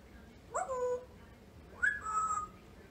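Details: Pet female African grey parrot fighting bedtime on New Year's Eve, like a toddler; two short whistled phrases, the first stepping downward, the second a higher steady tone, about a second apart, in a quiet room.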